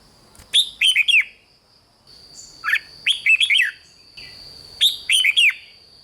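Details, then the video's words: Red-whiskered bulbul singing, played to excite caged birds; short bursts of four or five bright, warbled, falling whistled notes, each phrase about half a second long, repeated three times with pauses, a steady high electrical tone running behind. "เสียงนกกรงหัวจุก ร้อง ริก เปิดให้นกฟัง ยั่วให้นกคึกจัด"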